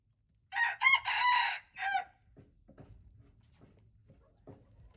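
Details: Red junglefowl crowing, 26 February 2025; a single rough crow in several pulses lasting about one and a half seconds, followed by quiet scattered knocks and rustles.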